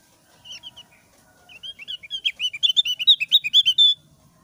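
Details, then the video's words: Thick-browed Javan grey-throated white-eye singing in the "ngeplong sambil ngeriwik" style, used to lure other birds into song: a few sparse high chirps, then a fast accelerating run of slurred twittering notes lasting about two and a half seconds. "SUARA BURUNG OPIOR JAWA ALIS TEBAL NGEPLONG SAMBIL NGERIWIK GACOR"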